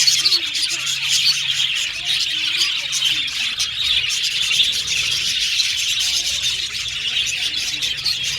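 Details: Budgies giving repeated chirps and whistles, contact calls for company: a constant wall of high chattering and twittering from many birds, with faint low tonal notes underneath.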